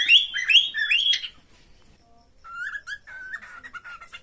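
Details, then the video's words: Cockatiel mating call, pet bird: three quick upward-sweeping whistles, a short pause, then flatter, lower warbled whistles and soft chatter. "Cocktail birds meeting call sound."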